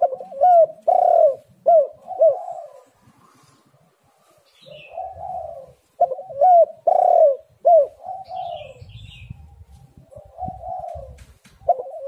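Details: Spotted dove lure recording meant to make doves call: repeated phrases of loud, bent coo notes followed by softer rolling coos, about every five seconds, with faint rustling noise beneath.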